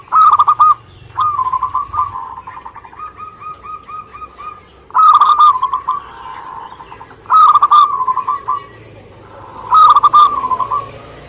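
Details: Local zebra dove from Indonesia singing actively. A loud rolling coo phrase opens, followed by a softer stuttering series of coos. Three more strong purring bursts come at roughly two-to-three-second intervals.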